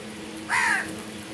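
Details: Crow giving a single harsh, slightly descending caw, short and hoarse, over a steady low background hum.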